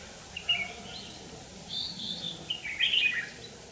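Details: Red-whiskered bulbul used as a decoy bird for trapping, singing to fight: bright warbled phrases, a short burst near the start then a longer run of rising and falling whistled notes, over a quiet rural background.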